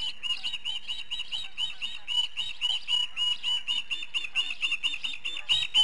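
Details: Nest-camera recording from Charlo, Montana, 18 July 2016: an osprey defends its nest against an intruding osprey, giving loud, piercing whistled chirps about four per second in a steady, insistent run.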